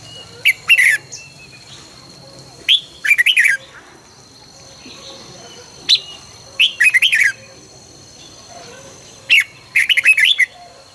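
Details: Red-whiskered bulbul training its fast, fiery morning song. Short phrases of four to five loud, slurred whistles repeat about every three seconds, sometimes led by a single note, over faint distant birdsong.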